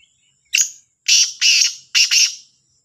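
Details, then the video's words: Morning call of a black francolin (kala Sindhi teetar, Sahiwal teetar): a loud, rasping four-part phrase of a brief opening click, two drawn-out scratchy notes, then a quick double note, with a faint high whistle before it. "کا لا تیتر کی صبح کی آواز | Kala Sindhi Teetar Ki awaz"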